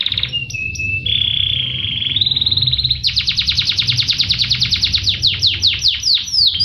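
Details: Canary song meant as a master recording to provoke singing: a few short high whistles, then steady pure tones stepping upward, then a long, rapid, regular trill of sharp chip notes over a faint low rumble.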